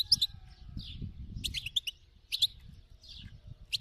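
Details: European goldfinch, described as wild khalawi stock, singing short clusters of crisp clicking chips and slurred twittering notes, alternating with softer descending whistles, against low background rumble.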